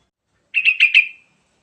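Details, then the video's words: A single clear yellow-vented bulbul phrase used to coax other birds into song: four quick liquid bubbling notes trailing into a short fading tail, in an otherwise silent background. "Kicauan Burung Trucukan Gacor Isian Mewah Paling Cepat Bikin Bunyi"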